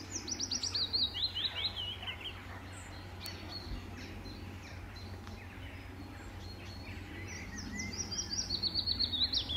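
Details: Male willow warbler singing from treetops near the farm pond at Standalone Farm, Letchworth Garden Greenway, England, June 2014, on his territory: a sweet cascade of high notes sliding downward, repeated after a pause, over faint low rural hum.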